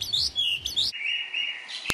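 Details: Asian pied starling (jalak suren, Gracupica contra) song, a trainable cage songbird: a jumble of loud, high, squeaky whistles and chattering notes, then a long steady whistle and a sharp click at the end.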